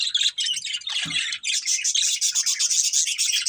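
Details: Budgies from a breeding pair pour out continuous, fast, scratchy warbling with rapid pulsing chirps and a single low thud near the middle.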